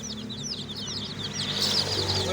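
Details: Many young chicks peeping continuously, quick high chirps piling over one another, with a low mechanical hum and rising broadband noise toward the end.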